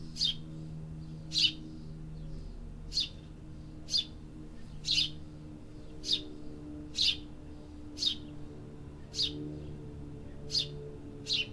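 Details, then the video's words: Town birds singing: a long series of about eleven crisp, high chirps, each roughly a second apart, over a constant low hum of urban background sound. "Urban Birds Sound Effects"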